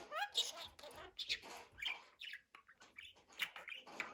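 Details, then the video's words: Budgerigar making lively scratchy warbling with quick rising chirps and buzzy notes strung together in fast, uneven phrases. "MUHABBET KUŞU | DİNLET KONUŞSUN"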